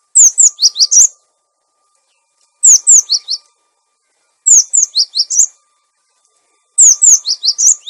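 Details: Cinereous tit lure song, also used to coach caged birds back into song: four rapid phrases of about six high notes each, sharp descending whistles falling into lower, bouncing notes, repeated roughly every two seconds.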